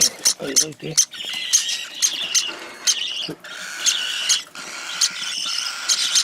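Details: Cockatiel chick being hand-fed, gulping down its feed: harsh, raspy begging calls in quick bursts, some with a bright whistled edge, broken by short pauses and soft handling noises.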